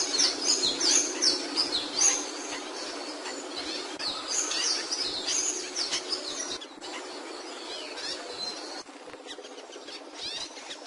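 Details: Capuchino seedeater in song, delivering rapid strings of high, sharp, slurred notes for several seconds, growing quieter and sparser toward the end amid constant background hiss.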